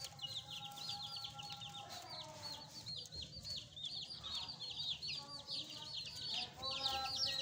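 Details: A group of fresh pet chicks peeping in dense high chirps, with a steady lower tonal whine running beneath and a low background hum.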